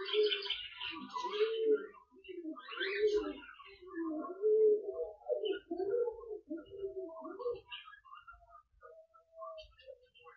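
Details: A cockatiel flock meeting in the morning chatters together in warbling, whistled calls that rise and fall in quick overlapping phrases.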